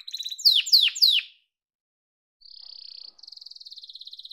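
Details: Yellow domestic canary: a quick trill, then three loud, sharply falling whistled notes. After a brief pause, two steady, fast rolling trills follow.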